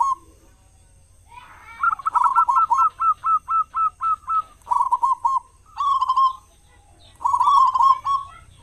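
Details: Local zebra dove singing loudly as a lure for other doves, morning and evening: a steady series of about ten clipped staccato coos, about four each second, then longer rolling phrases with brief gaps.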